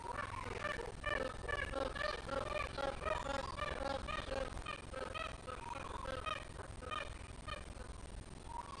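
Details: Magpie geese roosting and feeding in a mango tree in Oonoonba, Townsville, Far North Queensland, in the morning; a dense chorus of loud, nasal honks from several birds, repeated about twice a second, with low background rumble.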